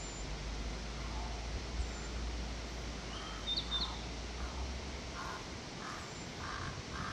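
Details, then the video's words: Crow giving harsh caws, at first faint and scattered, then four clearer, evenly spaced caws toward the end, over constant hissing background noise and a low hum in the first half. "crow bird crowing sounds to attract crows naturally"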